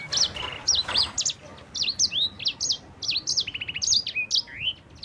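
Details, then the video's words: Champion mozambik, a yellow-fronted canary, in long clear rolling song: sharp high note pairs, a fast buzzy trill run near the end and wavering slurs, a steady stream of notes used as a lure and tutor. "PANCINGAN BURUNG SANGER JUARA - NGEROL SUARA JERNIH."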